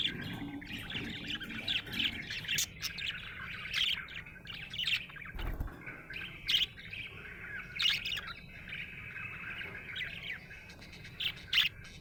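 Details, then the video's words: Budgerigar sounding happy, giving continuous chattering warble of rapid chirps and squeaks with sharper accented notes every second or so, one low thump near the middle. "Happy budgie chirping sound"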